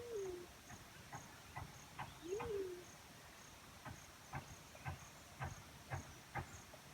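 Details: Black-chinned fruit dove, natural sound: a low coo that arches up then slides down, one cut off at the start and one more after two seconds, amid repeated soft clicking knocks and faint high chirps.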